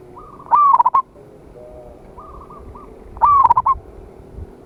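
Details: Loud local zebra dove singing to summon rivals, used as a lure. Two close-spaced stuttering phrases of clipped coos come about three seconds apart. A fainter dove answers softly between them, over background hiss.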